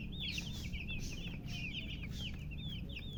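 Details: Just-born chicken chicks chirping loudly, a crowd of thin, high, quick peeps overlapping in a constant busy stream above a low background rumble.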